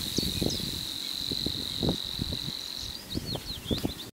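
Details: Savi's warbler singing, recorded with digiscoping equipment: a continuous, even, high buzzing reel held for about three seconds, then broken into short chirpy notes, over low thumping noise.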